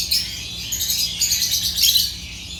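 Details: Chirping African lovebirds, genus Agapornis: short burst of dense, shrill overlapping twitters from several birds at steady loudness.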